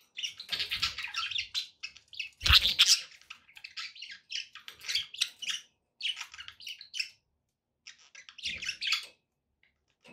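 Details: Pet budgies chattering in bursts of scratchy, rasping chirps and warbles separated by short silences, with one louder harsh squawk early on and a soft bump or two in the background.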